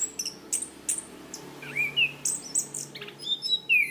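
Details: Orange-banded thrush (Zoothera interpres), kept as a songbird, on a training recording: short very high ticks, then a rising whistle and an overlapping run of thin high trills and slurred whistles.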